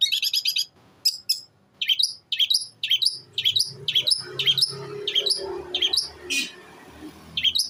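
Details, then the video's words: Mimicking sparrow, kuntilanak and tengkek buto, an eight-month-old long-tailed shrike from Jember, East Java, gives sharp, high, downslurred notes repeated roughly twice a second, with faint low background noise. "CENDET USIA 8 BULAN MATERI SATU NAFAS GEREJA KUNTILANAK TENGKEK BUTO"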